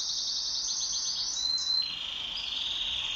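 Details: Pet canary singing in duet, softer here: a high rapid trill that slides into a lower sustained whistled roll, over faint background hiss.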